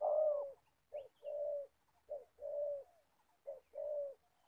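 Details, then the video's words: Spotted dove, an older decoy bird used for trapping in Gia Lai, Vietnam, giving low cooing phrases: a short note then a longer sustained coo, repeated about once a second over a quiet background. "Bẩy cu gáy. Clip 65.. mồi già bắt bổi thổ tốt tiếng."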